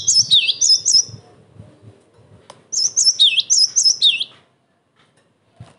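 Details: Cinereous tit in full, emotional song, a recording meant to lure other tits into answering and to train young birds; high whistled notes with swooping dips, two bursts about two seconds apart, faint low rumbling underneath.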